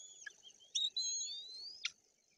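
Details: White-tailed eagle chicks in their nest in Bory Tucholskie, Poland, on 8 June 2022, beg the female to feed them fish she brought, with thin, high, squealing whistles: one long, wavering run of about a second, closed by a brief sharp note.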